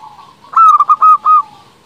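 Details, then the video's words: Single phrase of a local zebra dove used as a lure to prompt rival doves to answer. It gives a brief stutter, then three or four clear, even coos over about a second. "Perkutut lokal gacor paling ampuh untuk pancingan belum satu menit bikin lawan sudah pada nyaut"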